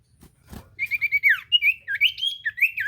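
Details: Common iora song to prompt a silent bird to sing: after two clicks, a run of short repeated whistles, then longer wavering whistled notes rising and falling.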